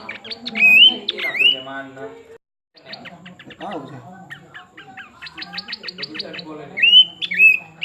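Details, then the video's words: ['Pin-striped tit-babbler: paired rising whistles open and close the passage, with a long stretch of dense, scratchy chattering and ticking between them.'] "Burung planduk semak menghibur juga"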